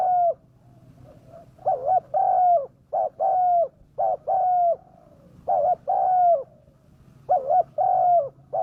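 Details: Spotted dove cooing, used as a lure to bring wild doves down; low hollow coos in paired phrases, a short clipped note followed by a longer drawn-out one, repeated steadily with brief pauses in a quiet setting.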